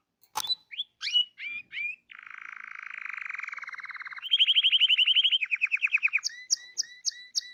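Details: Hipi-type canary singing a varied phrase: short whistled notes, then a long buzzy trill, a louder rapid rolled trill, and finally crisp repeated clipped chirps about four per second.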